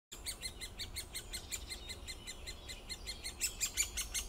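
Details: Great spotted woodpecker giving sharp, clicking notes repeated rapidly, nearly three per second, with a few louder, brighter notes toward the end over a quiet background hum.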